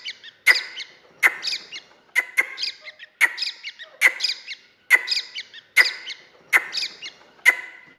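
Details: A grey francolin chick, or dakhni teetar, calls steadily with shrill high-pitched squeaks, about ten strong notes in eight seconds, some in quick pairs, trailed by soft chattering notes.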